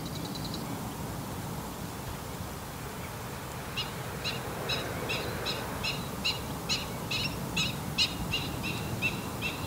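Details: Grey wagtail at Salinas y Arenales de San Pedro del Pinatar regional park, Murcia, Spain, gives sharp, high, clipped notes, about two per second, over a steady rushing background like running water.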